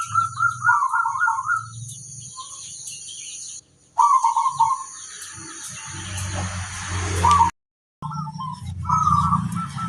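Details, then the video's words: Local zebra dove singing a lure song meant to draw other zebra doves into answering: stuttering, trilled cooing phrases with a high, broken start, separated by pauses, over a steady low hum and faint clicks. "Perkutut lokal gacor ampuh - untuk pancingan semua burung perkutut"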